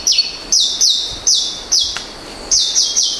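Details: An Apo myna in the Philippines gives loud, high, shrill calls that slur downward, repeated in quick, uneven bursts about every half second.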